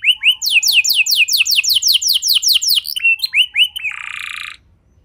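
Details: Canary singing to prompt other canaries to join in: a quick series of loud descending sweeps, about five per second, shifting to short chirps and ending in a flat buzzy rasp.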